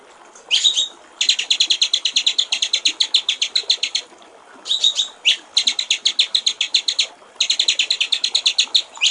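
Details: White-rumped shama (murai batu) master song for training songbirds: three bursts of rapid, even high rattling, each opened by a sharper squealed note and separated by short quiet pauses.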